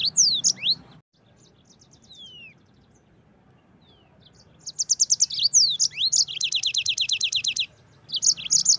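Yellow-fronted canary song: bright, high twittering with sweeping whistles, then a fast rattling run of rapid repeated notes after a brief pause.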